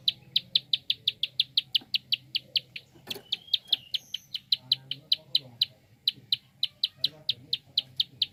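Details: Fast clicking call of a prinia, used to stir other birds into song: crisp, high, dry ticks repeated about three to four times a second, briefly broken by a sharp knock, over a soft low hum.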